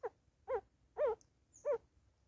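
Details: Grey go-away-bird calling while bonding, South Africa, 2024: four loud, nasal, wavering notes, each about a quarter-second long, repeated roughly every half second, with a faint high whistle from another bird between them.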